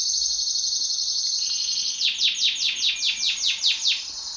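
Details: Pet canary singing in duet, a steady high rolling trill followed by about ten loud, evenly spaced descending chirps at a brisk regular pace.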